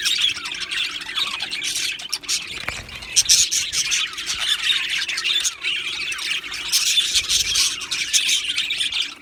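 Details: Australian budgerigar colony sound. Scratchy squawks and quick chirps from many birds overlap in a constant high chatter, with a brief quieter dip early on.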